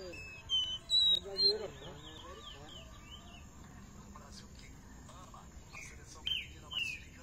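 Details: Caged black-bellied seedeater from Recife, feeding on estrelinha seeds on 30 July 2021: a burst of short high whistles and chirps early on, a quiet stretch with television speech, then two more sharp whistles near the end.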